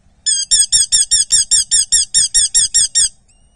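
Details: Eurasian hobby chick being fed at a Dorset nest on 8 July 2024: a rapid, loud series of about thirteen shrill, curved squealing notes, evenly spaced, stopping abruptly before a faint thin whistle.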